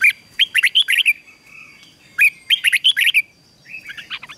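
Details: Red-whiskered bulbul song used for training other bulbuls: two bursts of quick bright whistled notes, each about a second long, then a softer third burst.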